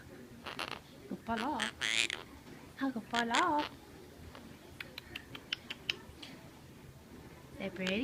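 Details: Pet Quaker parrot trying to talk indoors, giving short raspy, warbling mimicked phrases in bursts through the first four seconds, then scattered faint clicks and a final wavering phrase near the end.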